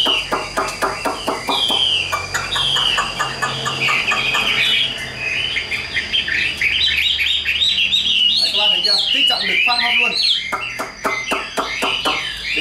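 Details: Hand-tamed captive Chinese hwamei (Garrulax canorus) song: loud, rich, fast-changing whistled phrases poured out without pause, with sharp clicks and a person talking quietly in the background.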